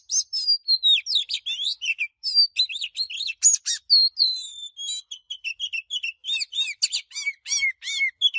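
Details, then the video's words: Oriental magpie-robin giving heated 'căng lửa' song with varied voice changes. Bright, sweet whistles mix with rapid twittering, harsh buzzes and repeated downward-slurred notes, delivered in short rushed bursts. "KÍCH LÀ HÓT|| Chòe than CĂNG LỬA || Đảo Giọng Cực Đỉnh ||Thúc Căng Lửa"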